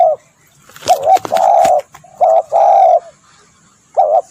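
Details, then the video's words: Spotted dove call, recorded for luring birds: low, hollow coos in a phrase of short and drawn-out notes, a long coo followed by a pause and a final short coo, with a few sharp clicks and rustles near the start. "SUARA tekukur"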